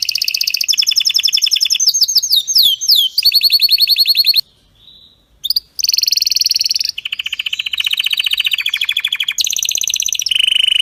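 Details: Strong, faultless canary song for training: long runs of rapid, rattling high trills shifting between pitches, a brief pause near the middle, then more fast buzzy and rolling phrases to the end.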